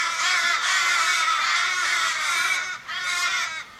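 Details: A gathered flock of fifteen or more Australian ravens in a Sydney suburban street, 1 July 2012, mourning a stricken mate: a nearly unbroken chorus of overlapping rasping caws, dipping briefly near the end.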